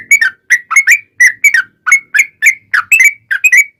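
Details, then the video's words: Yellow-vented bulbul song in the loud, continuous 'ropel panjang' style, used as a lure to make other bulbuls answer: short bubbly, chortling two- and three-note phrases repeated about every quarter second, with no other sounds. "SUARA trucukan gacor ROPEL PANJANG"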